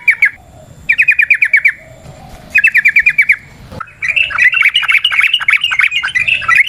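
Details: Wild Yellow-vented Bulbul recorded in nature, long trilling lure song: short rapid bursts of sharp, bright repeated notes separated by pauses, ending in a denser, more jumbled warbling chatter.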